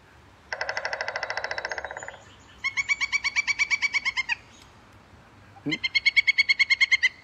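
Pileated Woodpecker giving three loud, rapid series of ringing 'wuk' notes, each lasting one to two seconds, with a brief low thump before the last series.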